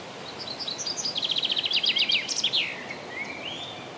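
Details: Common chaffinch (Fringilla coelebs) singing on 27 June 2017: a few thin high notes speed into a fast descending trill of repeated chirps, ending in a flourish and a short upward slurred note, over low background noise.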